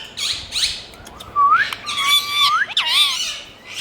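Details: Green pet ringneck parrot from India calling: short harsh squawks, then a clear rising whistle and a loud, rich, buzzy chatter with a wavering falling-rising note, then further squawks.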